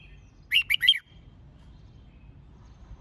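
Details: Red-whiskered bulbul being used to train birds for singing contests, a half-second flurry of three rich, warbled whistle notes, followed by silence and faint hum.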